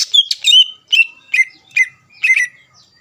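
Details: Greater green leafbird song aimed at stirring rival leafbirds: repeated bright whistled phrases sliding downward, about two per second, with harsh overtones on each note.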